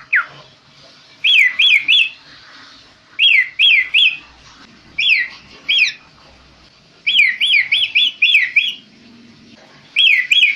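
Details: Kaso-kaso bird, tame and in full song, giving loud whistled phrases of three to six quick descending notes, each phrase separated by short pauses, over a quiet background.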